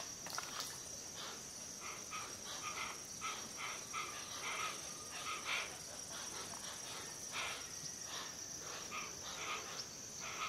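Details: Hoatzin giving a long series of short, harsh, breathy rasps, some in quick pairs. A constant thin high-pitched drone sounds in the background.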